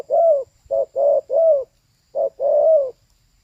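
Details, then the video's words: Soft repeated coos from a female spotted dove. Long mellow downslurred notes alternate with shorter clipped ones in a loose rhythm, with a brief pause midway. Background is quiet. "เสียงนกเขาใหญ่/Suara Burung Tekukur"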